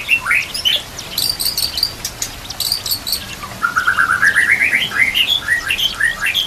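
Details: Training song of a White-rumped shama for teaching other shamas. It opens with sharp high chips, then moves into a long series of quick upslurred whistles that climb in steps. A soft hiss runs underneath.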